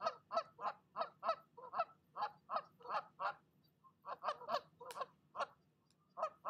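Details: Nesting female goose scolding another goose that came to her nest, giving loud harsh honks in fast bursts of about a dozen, a brief pause, then more rapid honking.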